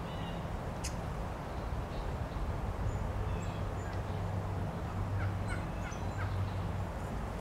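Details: Wild turkey males displaying to females at Lynde Shores, Whitby, Ontario, on March 30, 2018; a low, steady humming drone runs through much of the recording, with faint higher chirps of other birds and background noise.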